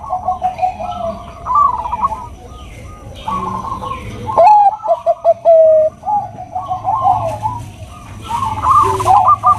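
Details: Bangkok-type zebra dove, a female calling a male; repeated bursts of fast bubbling coos separated by quieter gaps, one loud phrase ending in a long even note, with a faint steady hum beneath.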